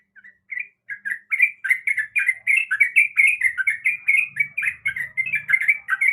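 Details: Calling female sooty-headed bulbul, birahi (in breeding condition), summoning a male. It starts with a few separate chirps, then speeds into dense, bubbly chattering that rises and falls. Some faint low thumps are heard in the background.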